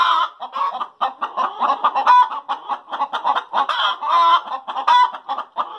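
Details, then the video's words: After laying eggs, hens keep up a noisy cackle of rapid clucks, with three or four prolonged harsh squawks rising above the group. "Chickens Sound After Laying Eggs"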